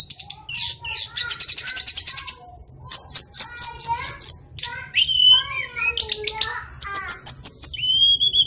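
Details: Mountain sulingan flycatcher (tledekan), Indonesia, singing vigorously: a dense, varied song of fast stuttering high trills, repeated sharp notes roughly four per second, slurred whistles and a closing pure whistle.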